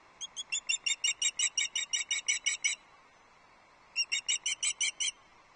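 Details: Loch Arkaig nest, 6 July 2024: a female osprey fish calls for her absent mate, who never answers. About thirteen sharp, high whistled cheeps ring out at a steady fast pace, then a pause and a further run of seven.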